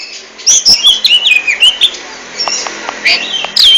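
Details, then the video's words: Kacer, the oriental magpie-robin, delivering ngentrok-style contest song: rapid sequences of high, sweeping whistles and chattering notes, some sliding downward, with short clicks in between and a steady faint background hiss. "RAJA NGENTROK!!! Kacer super kicau"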